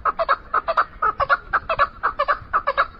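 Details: An Iranian chukar partridge gives a rapid, steady series of hoarse clucking chuck notes, often paired, about six a second, with no other sounds.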